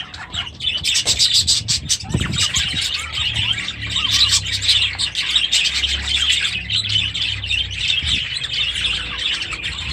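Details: Aviary flock of budgerigars with newly hatched chicks, 23 July 2017, keeping up continuous, busy twittering and chirping, high and warbled, with one brief low thump early on.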